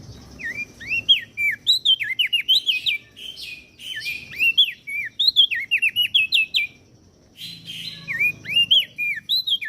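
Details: Crested darkeye and prinia from Lombok in a masteran recording for training caged songbirds: fast chains of rising and falling whistles with sharp chirps, pausing briefly before another burst of twisting notes.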